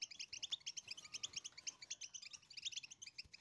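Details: Goldfinch singing to teach its chicks to sing: a dense, fast run of bright high twitters and chirps, steadily repeated, heard at low volume over a faint background hiss.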